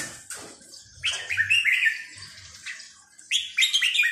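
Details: Sai nap dok (counting-flowers) style singing of a Red-whiskered bulbul: two bursts of bright whistled notes separated by quieter chatter, with faint low rumbling beneath.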